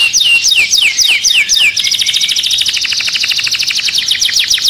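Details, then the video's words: Caged canary singing agitated, in fury: a run of repeated downward-swept whistled notes, then a fast, dense buzzy trill of rapid repeated notes, loud and high-pitched throughout. "Cantando um canário em fúria dentro da gaiola"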